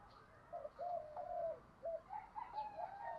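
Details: Captive decoy spotted dove cooing to attract and excite wild doves. A series of soft, mellow coos of varying length is heard over faint background hiss.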